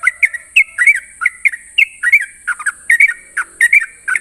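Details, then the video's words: Sooty-headed bulbul in the morning, singing in the rapid ropel style: short bright whistled notes, some slurred up or down, tumbling out several per second over a steady high hiss. "Ropelan trucukan gacor terbaik penuh emosi pagi hari"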